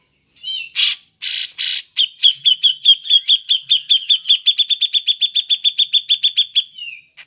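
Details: Ngepik call of a cucak jenggot, the grey-cheeked bulbul, used to lure other birds: a few rasping bursts, then a long rapid chatter of roughly thirty sharp, evenly spaced whistled notes over about five seconds.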